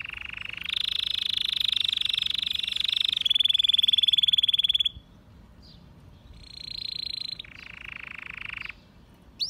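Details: A white canary sings long, rapid rolling trills with long breath, each held steady for a few seconds before switching to a new pitch or tempo, with a brief pause midway.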